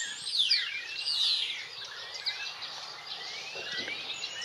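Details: European bee-eater calling in the fields of Extremadura, with overlapping rolling notes and rising slurred whistles crowded together, loudest in the first second and a half, then fainter calls over steady outdoor hiss.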